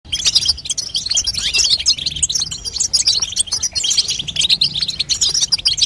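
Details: Female European goldfinch calls meant to stimulate a young goldfinch to sing: dense, continuous high twittering of quick sharp chirps and short trills, unbroken throughout.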